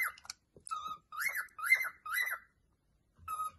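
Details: Cockatiel song of arched, slurred whistles repeated in quick succession with a few short chirps first, then a pause and a final flat whistle; faint low room noise.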